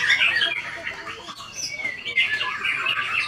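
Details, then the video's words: White-rumped shama song: dense, rapid warbling with sharp whistled slurs and chattering notes, delivered in a steady unbroken stream, plus a faint murmur of people in the background. "IN ACTION MURAI BATU SAKTI"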